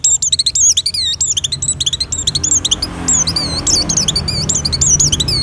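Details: Oriental white-eye in breeding condition singing to lure other white-eyes: fast high twittering with looping, rising-then-falling whistles, briefly thinning in the middle before resuming, over soft background noise.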